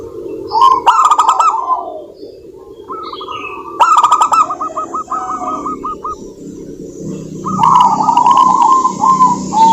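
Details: Local zebra dove song meant to coax other doves into singing: phrases of even, repeated rolled coos, separated by loud clicking bursts and quieter gaps with soft high whistles.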